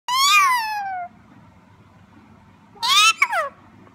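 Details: Female black-capped lorikeet imitating a cat: two meow-like harmonic calls, the first a long wavering note that slides downward over about a second, the second shorter and rising then falling, with a quiet room hum beneath.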